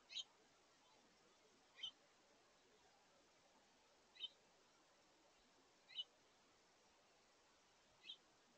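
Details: Five evenly spaced, slightly buzzy chirps, about two seconds apart, from a house finch family feeding together at a feeder in August. Juveniles are present and sharing the food.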